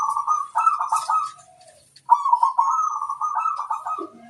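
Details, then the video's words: Local zebra dove performing a luring song intended to make wild birds respond: two long, quavering, bubbling coo strings, the second running nearly two seconds, ending in a soft lower note. "Suara sang masteran burung perkutut - asli pikat mengundang bunyi"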